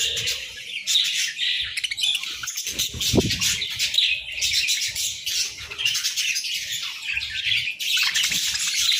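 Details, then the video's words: Budgerigars chirping together in the morning in an almost unbroken stream of high, buzzy warbling and twittering, with one brief louder thud and a low hum near the start. "Chirpy Mornings with Budgies!"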